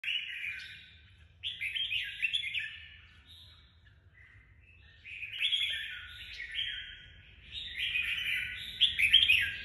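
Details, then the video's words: Caged red-whiskered bulbul singing in the 'nhảy cóc' (leapfrog) fighting style: bursts of rich, warbled, bubbly whistled phrases, about two seconds each, separated by short pauses, with a faint low hum beneath. "Chào mào nhảy cóc lối đánh nhiều người mê ước"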